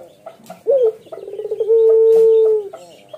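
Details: A male Barbary dove (Streptopelia risoria) coos low and soft: a brief rising note, then one long, steady, drawn-out hoot of about a second.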